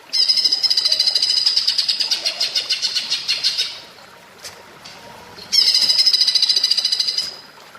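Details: Green leafbird (cucak ijo) singing in the platuk bawang manner, a training master: a long, high, machine-gun rattle that slows and fades, a quiet gap with faint clicks, then another quick rattling burst.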